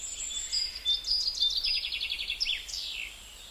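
Gouldian finch giving thin, very high notes: a rapid run of short ticking chirps, then a few quick downward-sliding whistles, over faint background hiss.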